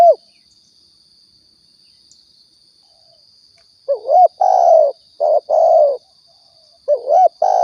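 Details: Spotted dove cooing from Riau, used as a hunting lure: a single coo, a long silence, then a rolling double note and long, hoarse, level coos in a burst, another rolling phrase near the end, thin high hum throughout.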